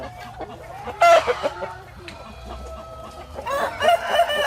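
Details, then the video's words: Hens in a farm henhouse cluck and cackle, with short rapid clucks, a burst of loud overlapping squawks after one second and another loud cackling burst toward the end over a steady low hum. "Som da Galinha - Galinha Cacarejando - [Chicken Noise]"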